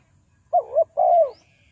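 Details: Spotted dove from Ninh Thuận used as a lure for trapping wild doves: a short wavering double note, then a longer, even, slightly falling coo, all low and mellow, over a quiet background.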